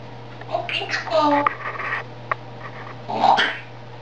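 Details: A pet grey parrot talks in Czech in short, word-like bursts with human-sounding vowels, pausing between phrases, over a steady low indoor hum.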